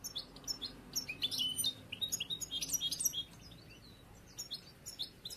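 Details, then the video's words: Juvenile European goldfinch, bruno amarillo mutation, hatched late this year and trained toward song contests; rapid jangling twitters and buzzy high notes strung together for several seconds over a faint steady hum. "un poquito del jilguero nuevo bruno amarillo, aún por hacer."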